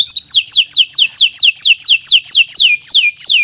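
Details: Canary singing a long, energetic song: a fast series of about ten high whistled notes, each sliding steeply downward, repeated roughly every third of a second.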